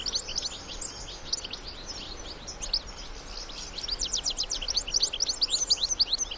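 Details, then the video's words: Wild European goldfinches, adults with young, twitter softly at first, then build into a fast, dense series of sharp, high chirps toward the end, with steady background noise. "الحسون وصغاره في الطبيعة مع تغريد وبتبتة خلوية"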